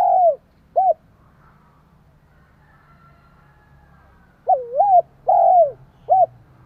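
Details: Spotted dove cooing to provoke and stimulate another dove: phrases of low, hollow, wavering coos around 600–800, a short coo then a pause of several seconds before a quick run of three rising-falling coos; quiet background hum.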